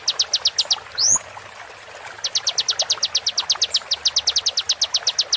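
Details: Konin song from a training recording for songbirds, a fast series of sharp, high, evenly spaced notes repeated about ten per second, broken once by a short swept note rising then falling, with faint background hiss.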